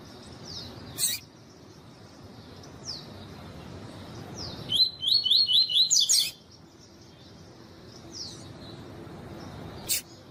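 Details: Tuí tuí style song of a double-collared seedeater, a female calling to warm up the male: thin falling notes every couple of seconds, then a rapid run of about six bright chirps, with loud clicks.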